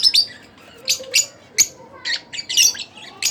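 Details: Split blue Fischer's lovebird giving separate sharp, squeaky chirps spaced about half a second apart, ending with a cluster of raspy notes.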